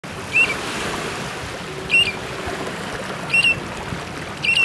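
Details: A Short-billed dowitcher at Pillar Point, California gives four brief, mellow notes about every one and a half seconds over a steady wash of surf and wind.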